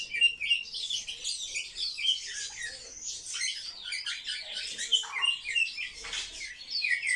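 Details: Captive social sparrows chirp quickly and irregularly, about three or four short notes a second, forming a bright, scratchy twittering with a few lower chips mixed in.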